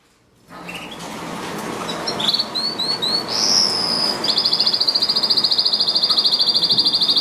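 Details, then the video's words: Canary song opening after a brief silence with scattered high chirps and short rising whistles, then a rapid, evenly pulsed high trill rolling steadily through the final three seconds. "Canaries - Canary - Song - Singing"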